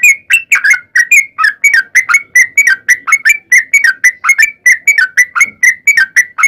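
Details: Sooty-headed bulbul, called trucukan, in long 'ropel panjang' song intended to make listening bulbuls answer at once; steady, rapid stream of fluty whistled notes, mostly level or slightly dropping.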